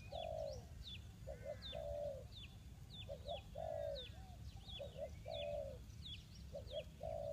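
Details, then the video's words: Decoy spotted dove calling to draw wild birds into a trap: repeated phrases of a long coo and a quick paired note, about every two seconds, with many sharp high chirps from other birds. "The Sound Of dove"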